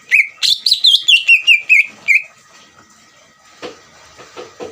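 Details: Greater green leafbird, played to provoke another leafbird into answering: a quick run of about nine loud whistled, slurred notes falling from high to lower pitch within two seconds, followed by quiet background with faint clicks.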